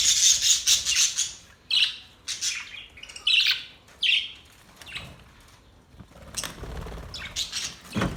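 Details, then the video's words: Australian budgies chirping and chattering: bursts of scratchy, warbled high twitter separated by short pauses, with a few sharper squeaky notes and a rising chirp near the end. "Beautiful Australian birds chirping sounds Beautiful Australian Budgies birds talking"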